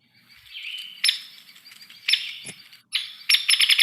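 Hairy Woodpecker: sharp, high call notes, then a quick rattling whinny of about six notes that stays level in pitch instead of dropping.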